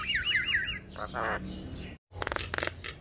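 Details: Black-winged starling, a caged bird described as stressed and reluctant before bursting into song; repeated looping whistled notes, then a harsh nasal squawk and a burst of broad raspy chatter after a brief gap.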